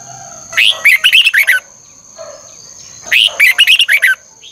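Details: Morning training song of a red-whiskered bulbul in the fiery 'ché căng lửa' double-twisting style, used to train other birds: two bright bursts of rapid, slurred chirps about two and a half seconds apart, with a thin constant whine behind.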